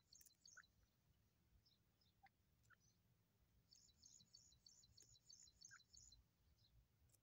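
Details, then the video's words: Black francolin chicks make very high, thin chirps in quick clusters, with a few lower single notes, over a faint low rumble. "irani teetar ki awaz black teetar sound voice chicks"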